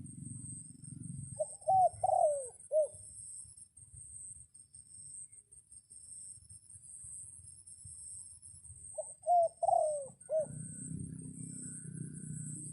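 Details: During rain, a red junglefowl rooster crows to summon wild birds, giving two loud staccato-then-drawn-out four-part crows about eight seconds apart, with low rumble at the start and end and quieter ground sound in between.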